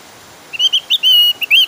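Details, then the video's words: Javan grey-throated white-eye singing an insistent, clear song used as a lure to prompt other birds to sing: a quick run of short, high whistled notes, some slurred upward, ending in a longer steady whistle. "PANCINGAN OPIOR JAWA GACOR SUARA NGOTOT"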